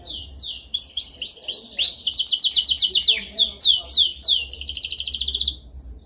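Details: Canary training song: a long series of bright downward-slurred whistles repeated about four times a second, building to a dense high rattling trill before fading.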